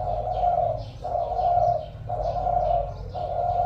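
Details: Caged spotted dove kept as a decoy bird, singing in the 'giọng thổ' voice style with a good coo: low, mellow cooing phrases repeated about once a second, with a steady low rumble behind.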